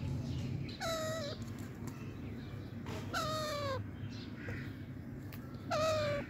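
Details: Alexandrine parakeet, a talking pet parrot playing in a garden in an active mood, gives three loud harsh nasal calls, each about half a second and falling slightly in pitch, spaced roughly two seconds apart over steady low background hum.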